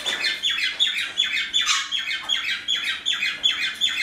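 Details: Pet parrots chattering indoors in the morning while females attend a male with a bandaged broken wing; scratchy falling chirps follow one another quickly and evenly, almost three each second.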